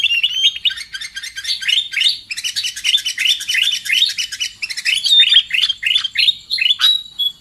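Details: Sooty-headed bulbul call played to lure birds into traps: steady, rapid series of short bubbly chirps, each rising then dipping, with some crisp high ticks and a thin whistle near the end.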